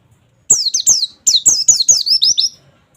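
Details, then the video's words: Oriental white-eye singing 'nembak', wit wit wit, as therapy audio for a raw bird: a brief trio of shrill falling notes, then a longer run of about six quick chirps. "terapi pleci bahan agar cepat bunyi nembak wit wit wit"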